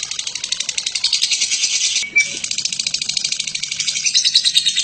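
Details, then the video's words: Lovebird (Batman) in long ngekek for masteran training: quick shrill pulsed chatter, a short dip and break around two seconds, then the rattling stream carries on strongly. "Burung Lovebird BATMAN ngekek PANJANG cocok untuk MASTERAN"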